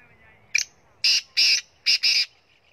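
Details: Black francolin (kala teetar) from Punjab giving a harsh, grating call: a short sharp opening note, then two long buzzy notes, a brief pause, and a clipped note run into a longer rasping one, all within about two seconds, background quiet.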